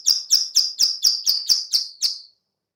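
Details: Female bar-winged prinia clicking call, used as a lure for other birds: eight sharp, high, evenly spaced clicks in quick succession, the last one trailing off, followed by silence.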